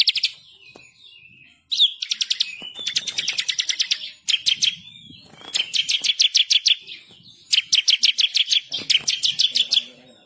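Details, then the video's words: Bar-winged prinia delivering an agitated, insistent masteran song with rolling trills and sharp shots: high chip introductions followed by bursts of fast, regular buzzy notes, repeated in four long phrases with brief gaps. "burung MASTERAN ciblek kristal gacor // ngamuk ngotot ngerol nembak pedas"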